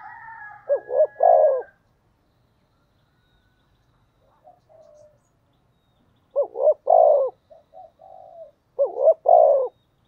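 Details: Decoy spotted dove cooing in the thổ style to lure wild birds. Three hoarse phrases each end in a long burred coo, with faint soft coos from another bird between them and a brief whistled tone at the start.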